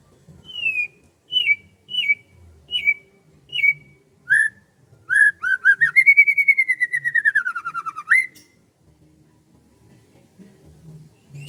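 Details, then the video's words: Morning birdsong over rice fields: a series of spaced, clear whistled notes dropping in pitch, followed by a long rapid trill that rises then slowly falls before ending on an upswept whistle. "SUASANA PAGI DI SAWAH SAMBIL DENGERIN KICAUAN BURUNG"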